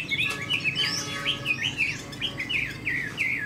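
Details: A Chinese hwamei, a caged spread-tail fighting bird, repeats short whistled figures about every third of a second, each note dipping and then rising, in a lively steady series.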